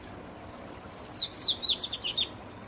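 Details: Bahia seedeater delivering a lively song of high, sweet slurred whistles that accelerate into a quick twittering cascade, lasting under two seconds, with a faint steady high-pitched hum underneath.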